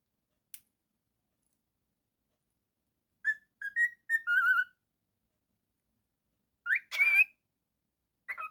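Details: Pet cockatiel indoors whistling a short run of clear, level and rising notes with a bright buzzy tone, then a brief pause before two more rising whistles and a sharp click.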